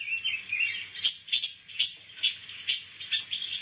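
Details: High, clipped chirps from a pancawarna bird, a songbird used as training material for white-rumped shamas, coming in a quick uneven series over a soft steady background hum.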